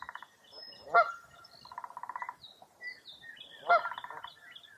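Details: Birds at dawn on a foggy early April day along Mirror Lake State Park, Baraboo, Wisconsin: two loud honks nearly three seconds apart over low rattling pulsed trills and scattered thin high chirps.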